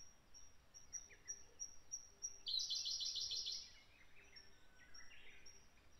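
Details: A Japanese grosbeak, one of a pair gathering nest material in a bright beech forest at the foot of Mount Fuji in late May, gives a quick burst of sharp, high repeated notes, then lower chirps, over a thin high whine.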